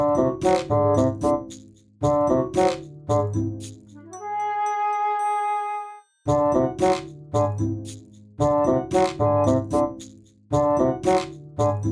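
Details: Piano and keyboard music plays throughout, with repeated chords and one sustained tone, and no animal sound is heard.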